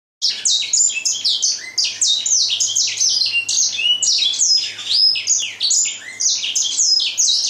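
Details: Grey singing finch singing: a continuous, rapid run of bright, high whistled and chirping notes, many sweeping down or rising, packed densely with barely a pause, clean and loud throughout with no other sounds.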